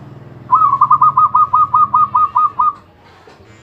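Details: Champion zebra dove singing in the ecek ecek style: a long, even trill of about a dozen rapid, mellow cooing notes at steady pitch, lasting over two seconds, over a quiet low hum.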